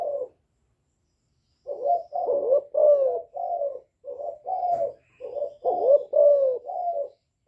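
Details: A young spotted dove cooing in calling and bowing styles said to stir wild doves. After a pause, hollow low notes follow in tight groups, several swooping and bent, ending in quieter short coos.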